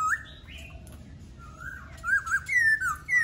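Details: Laughingthrush song beginning with quiet rising whistles, then a low wavering phrase and loud, bouncing whistled notes that rise and fall in quick succession.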